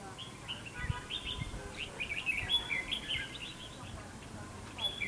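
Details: Red-whiskered bulbul singing in a fight trap to lure rivals: a continuous run of rapid chirpy, whistled notes rising and falling, with some low thumps beneath.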